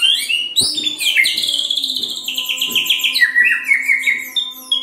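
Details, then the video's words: White-rumped shama song intended as a singing lure for other shamas: a dense run of high chirping and trilled notes stepping gradually lower, with a steady faint low hum beneath. "SIULAN MURAI BATU INI SANGAT EFEKTIF SEBAGAI PANCINGAN MURAI BIAR GACOR"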